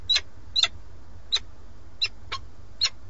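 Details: At a webcam-watched nest in Alcalá de Henares, Spain, a male peregrine falcon bringing a starling calls for his mate; short, harsh chipping notes, sometimes doubled, sound irregularly over constant low noise.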